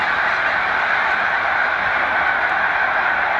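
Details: A loud, unbroken mass of honking from large Snow Goose flocks at a spring migration rest stop on Cayuga Lake, New York, 20 March 2021.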